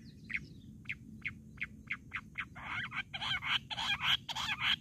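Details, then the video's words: Jungle bush quail, recorded for quail hunting: clipped chirps spaced about half a second apart, then several birds joining in a loud, rapid, overlapping chorus of harsh notes over low rumbling background noise. "Jungali butter ki video | Bush quail sound 👌 batair ki sikar"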